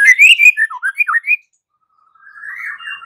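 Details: White-rumped shama fighting song, used to provoke other shamas into answering and singing: a quick run of varied whistled notes sliding up and down for over a second, a pause, then softer warbling.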